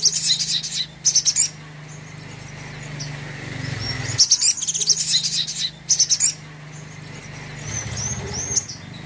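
Crimson Sunbird song: high, thin chirps and quick twittering bursts coming in short spells every few seconds, over a steady low mechanical hum.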